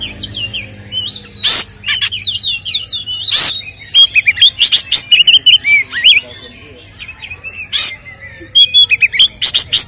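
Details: White-rumped shama, a lively full song used as a lure to provoke captive birds: rich whistled phrases and quick chirps between 2 and 5k, mixed with sharp broadband clicks and rattles, over a low steady hum.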